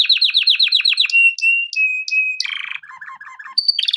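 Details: Male canary song used for training: a rapid rolling trill drops into sustained pure whistles broken by high clicks, then low chattering notes and a bright high tour to finish.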